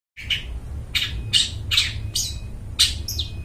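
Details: Long-tailed shrike singing in good voice, used as a lure for wild birds in the forest: harsh, broad squawky notes repeated roughly every half second, with a steady low hum underneath.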